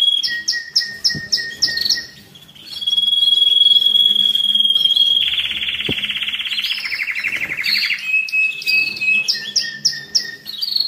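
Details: Domestic canary song used for training during the molt and rest phase, meant to excite males and prepare females for breeding: quick repeated chirps, then a long steady whistle, a fast buzzy roll, and a return to rapid repeated notes.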